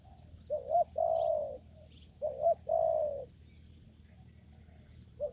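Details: Spotted dove in a papaya garden during bird trapping gives two phrases of a brief rising note and a longer low coo, then falls quiet before a final note begins; soft high twitters from small birds.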